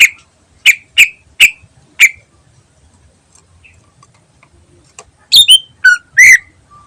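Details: Greater green leafbird singing in the ngentrok style, recorded as a lure for other birds: five sharp, clipped chip notes about half a second apart, a pause, then a quick burst of varied, higher squeaky notes.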